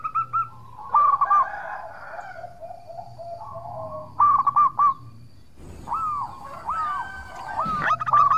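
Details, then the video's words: Actively singing local zebra dove, its song suited to drawing a reply from rival birds: short clusters of rapid, wavering coos broken by quiet gaps, then several slurred, arching coos at the close. "Perkutut Lokal Gacor Suara Merduk Cocok Buat Pancingan - Bikin lawan langsung Nyaut!!!"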